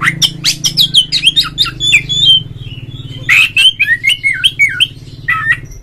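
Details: Oriental magpie-robin singing a rival-provoking lure song meant to excite a caged bird: rapid, varied phrases of harsh squawks and sharp whistled slurs, continuous throughout, with a constant low electrical-sounding hum behind.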